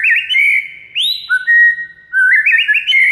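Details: Masteran song of a white-rumped shama used to spur a mute bird to sing: warbling trilled phrases, a bold rising sweep, level whistles, then fast rippling notes climbing in pitch.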